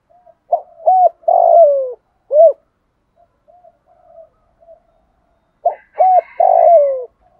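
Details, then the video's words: Spotted dove of the 'thổ' voice style, sung to call wild doves in. Two coo phrases: quick soft hoots leading into a drawn-out falling coo and a round closing note, separated by a pause with faint murmurs, in an otherwise quiet setting. "tiếng gáy hạp bổi, gọi bổi về cội nhanh"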